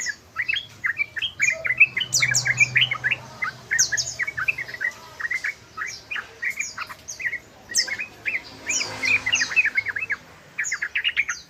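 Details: Yellow-vented bulbul in 'ropel' style: dense bursts of quick, bubbly, slurred chirps that tumble together in long runs, broken by brief pauses, with sharp higher squeaks mixed in throughout.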